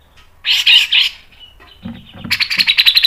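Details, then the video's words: Grey-cheeked bulbul, locally cucak jenggot, in speedy masteran song: a harsh, noisy double squawk, a pause with low rough notes, then a rapidly accelerating run of sharp, rattling pulses. "MASTERAN CUCAK JENGGOT MBESET NGEPIK NEMBAK PANJANG SPEED RAPAT"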